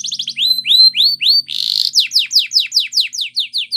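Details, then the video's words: Belgian canary training song: a fast, bright phrase with a quick trill, rising whistled notes, a brief buzzy burst and a run of rapid falling chirps. "Training Belgian Canary"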